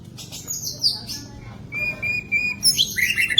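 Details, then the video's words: Captive white-rumped shama, a training bird for other caged shamas: high thin whistled notes, a steady series of short clear whistles, then a rapid bright twittering flourish. "macam macam suara murai batu bagus buat masteran biar murai kalian cepat gacor dor"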